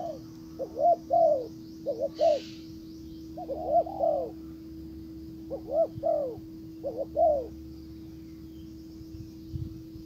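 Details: Decoy spotted dove calling a wild bird: several rolling coo phrases of short doubled notes and longer croos, interrupted once by a brief rustling burst, then fading into quiet hum for the last few seconds.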